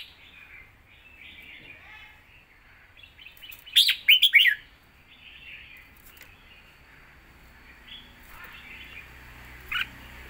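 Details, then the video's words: Red-whiskered bulbul singing a Thai zone-style song described as rapid and fast-delivered: one loud burst of quick warbled, whistled notes midway, amid faint softer chirping from other birds before and after. "สายเพลงโซนห้ามพลาด"ทีเด็ดเพลงโซนปากไว เพลงรัวๆ"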